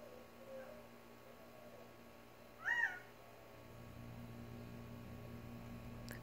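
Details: Quail in a backyard in the Tucson desert giving one short, loud, arched call that rises and falls, around mid-clip, against an otherwise quiet background with a low steady hum.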